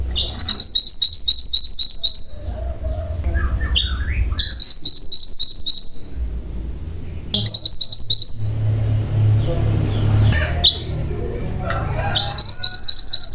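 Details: Common iora (mantenan gunung) in vigorous song, with repeated long rolling trills of quick, stepped high notes, each lasting one to two seconds. Sharp single whistles fall between them, over a low background rumble.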